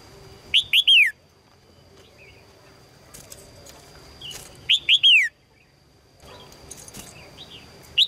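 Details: Female red-whiskered bulbul calling for a strong male, repeating a tight group of three or four chirps that slide downward, roughly every four seconds, with softer short notes between and a steady high whine behind.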